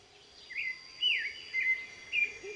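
American goldfinch giving four sweet, slurred notes, each bending up and down, about every half second, over a steady high background hum.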